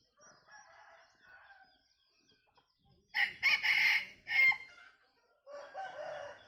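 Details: Bantam decoy rooster giving a crow likened to laughter: soft distant crowing at first, then a loud, broken crow of three ragged bursts midway, followed by another crow beginning near the end.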